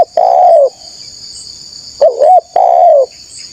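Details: Spotted dove giving loud, mellow coos meant to attract wild doves: a long level coo, a pause, then a wavering short note and another long falling coo. A high steady buzzing hum continues throughout.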